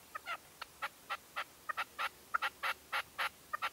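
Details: Red-legged partridge decoy at dawn, 2023: quick, evenly loud clucking notes, about three per second, each short and harsh, with a scattering of softer clicks between them.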